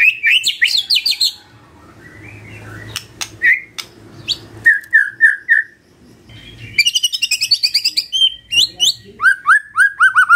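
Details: Magpie-robin morning lure song for coaxing a silent bird to reply: bursts of rapid high chirps, a short row of falling whistled notes, then dense twittering and descending whistles after a quieter gap.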